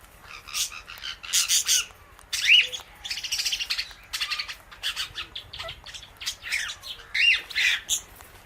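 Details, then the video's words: Indian ringneck parakeet beside an Alexandrine parrot, the pair eating guava seeds together; dense run of sharp, bright clicks and short squawky bursts coming in quick irregular clusters across the whole stretch. "Parrot Natural Clicking Sounds"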